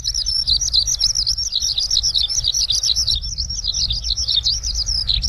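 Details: A Eurasian skylark singing on the ground pours out a fast, unbroken stream of high warbling trills and chirps, with a low rumble of wind or traffic beneath.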